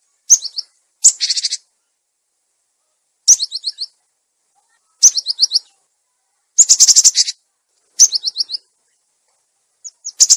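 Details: Cinereous tit lure recording, clear voice, meant as a master for tits gone quiet: short high sweeping notes alternating with harsh buzzy churring bursts, each phrase under a second and repeated every one to two seconds.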